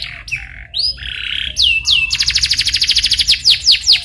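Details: Canary rolling song used to prompt a bird to sing: varied slurred whistles and a buzzy held note, then a fast high pulsing trill easing into slower falling whistled sweeps.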